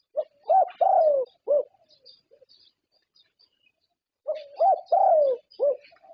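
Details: Champion zebra dove of Thailand singing two matching low, mellow cooing phrases separated by a pause of almost three seconds; each runs short coo, arched coo, long descending coo, rounded final note, with faint chirps between.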